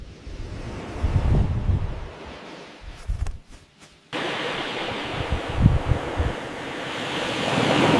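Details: Gusty wind and surf-like roar, with a brief quieter gap near the middle, are the only sounds, and no birds call.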